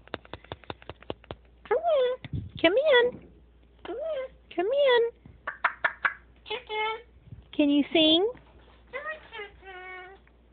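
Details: Indoor Moluccan cockatoo babbling to its owner about its day: quick clicks, then a string of wavering, rising and falling speech-like syllables and drawn harmonic notes with short pauses between.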